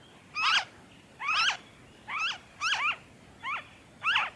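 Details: Noisy friarbird recorded in Victoria, Australia, in February 2023: six loud, harsh, cackling notes with steep rising and falling harmonic sweeps, spaced about every 0.6 to 0.8 seconds, over a quiet background.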